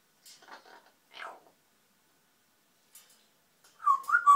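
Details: Pet grey parrot chattering to itself: a few soft, speech-like murmured syllables, a pause, faint clicks, then a louder warbling whistled phrase that bends up and down near the end.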